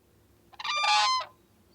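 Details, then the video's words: A whooping crane gives a single loud, harsh, trumpet-like bugling call lasting about half a second; nothing else is heard. "uh [Music] this is the call of the whooping crane"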